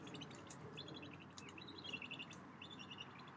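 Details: Anhinga father feeding his aggressive juvenile high in a tree at Lake Hollingsworth, Lakeland, Florida, amid flapping wings: quick strings of high, thin chirps and squeaks, some dropping in pitch, in short bursts over a steady low rumble.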